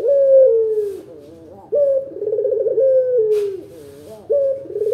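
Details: Barbary dove (local puter), a recording used as a lure so other doves answer: a sharp opening note, then a low rolling, tremulous coo sliding downward, repeated about every two and a half seconds, with brief faint rustles.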